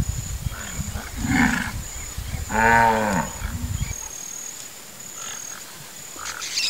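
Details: Cabeça-seca or wood stork, a fishing bird of the Pantanal wetlands in Brazil, uttering a rough, nasal, harmonic bray lasting about half a second, with softer grunting calls before it, against a constant high-pitched insect drone.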